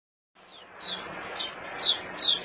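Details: White-eye, known locally as puteh, a kept bird in Singapore. After a moment of quiet, a few high, thin, downslurred chirps come at uneven intervals over a low background hiss.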